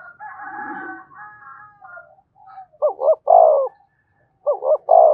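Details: A buzzy, layered harmonic sound opens, then a spotted dove coos twice. Each coo is two quick rising hoots and a long sliding note. It is a decoy bird that rouses a newly trapped dove.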